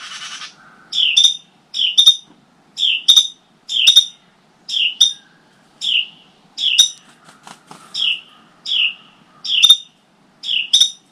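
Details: Both Carolina wren parents at a helmet nest holding five chicks give prolonged alarms as crows are active nearby: rasping, chattering high notes in a steady series, about one every second, close and loud, with small clicks between.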